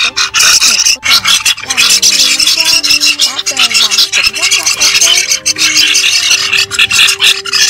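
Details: A starling's foraging chatter, used as a trapping lure, runs nonstop, mixing harsh rasping notes with short warbled and slurred whistles at a busy pace, with no other sounds standing out.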